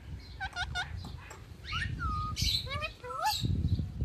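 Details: Ringneck parrot kept as a pet, giving a lively series of stacked squawks, slurred whistles and rising chirps in quick succession, over low household rumble.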